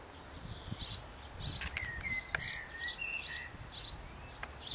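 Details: Young European pied flycatcher in a backyard on 7 June 2013, calling for a parent: short high chirps repeated roughly every half second, with lower sliding whistles from other birds in between.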